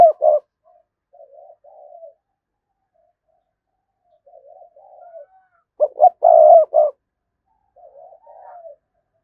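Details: Spotted dove decoy cooing to excite wild doves: quiet warbled low coos repeat at intervals, broken midway by a loud stuttering run of hoots ending in a long full coo, then softer notes again.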